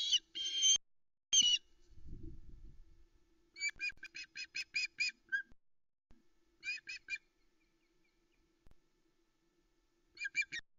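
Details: Osprey on the Loch Arkaig nest in the afternoon of 26 Aug 2020, calling as the male brings fish; nest cam. A few loud whistles open, then clusters of short clipped chirps recur, separated by quiet gaps and a low rustle.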